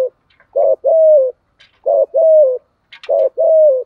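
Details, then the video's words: Decoy spotted dove giving its earthy-voiced cooing, a short two-part note then a long level coo sliding down at the end, phrases repeated three times with faint clicks between. "cu mồi giọng gáy bài bản, cu gáy giọng thổ"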